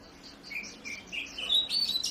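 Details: Oriental magpie-robin, known locally as kacer, singing vigorously: a short run of clear whistled notes that climb higher in pitch, ending in brighter, louder phrases.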